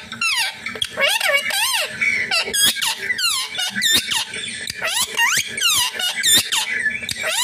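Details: Indian green ringneck parrot talking with a mobile phone: rapid run of squeaky, bending, harmonic chatter and mimicked syllables, densely packed with sharp clicks between, continuous throughout.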